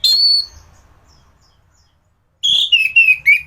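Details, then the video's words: Gacoran song of an orange-headed thrush, played to train other thrushes: a single high whistle, a silent gap, then a series of clear descending whistled slurs. "Burung anis gacoran || masteran untuk burung anis"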